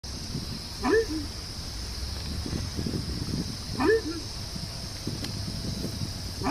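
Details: Horned screamer calling, two loud honking calls that rise sharply then break, about three seconds apart, over a steady high insect drone, low rumbling noise and some speech.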